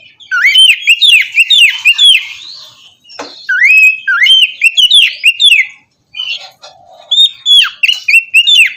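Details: Morning playback of Oriental magpie-robin song meant to stimulate a lazy bird to sing: bright whistled notes sliding up and down in quick varied phrases, interspersed with short harsh chips, with a brief silence midway.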